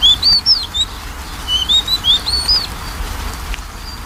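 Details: Magpie-robin song serving as a lure for a bird reluctant to sing: a burst of clear, upslurred whistles in quick succession, fading to quiet after about three seconds.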